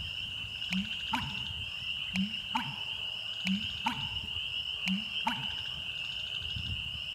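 American bittern giving deep, gulping two-part booms, repeated about every second and a half, beneath a steady high insect drone.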